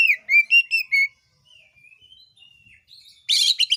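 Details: Oriental magpie-robin singing to incite rival birds to sing: four bright whistled notes in quick succession, soft trailing twitters, then a dense harsh buzzy burst at the end.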